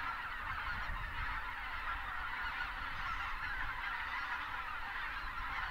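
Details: Wintering flock of thousands of Greater white-fronted geese in South Texas, south of Uvalde, joined by rising pelicans; a smooth, continuous roar of blended honking calls over faint low rumble.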